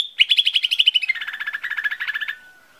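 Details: Lesser green leafbird lure song: a rapid, rattling trill of bright notes. Partway through it shifts to a lower pitch, then ends in one thin, fading whistle.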